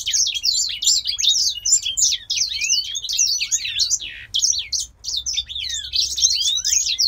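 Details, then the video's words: A healthy captive grey singing finch from Poland, which sings all day as breeding season approaches, gives a fast, unbroken warble of high, twittering and sliding notes for the full seven seconds without pause. "Grey Singer Finch IRL 4- song beat"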